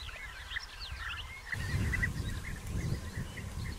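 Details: European bee-eaters in early June 2021 at nest burrows still being excavated, during the season of courtship feeding and copulation; soft purring, trilled notes overlap steadily, and after the first second and a half a low rumbling wind or handling noise sets in.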